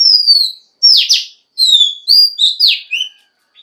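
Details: A female Oriental magpie-robin sings to prompt males to sing: a long, sliding clear whistle, then sweeping slurred notes and short bright phrases separated by brief silences.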